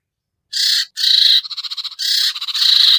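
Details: Sirtu bird-trapping lure: loud, scratchy buzzing bursts separated by short gaps, with rapid stuttering trills between them, all high-pitched and harsh.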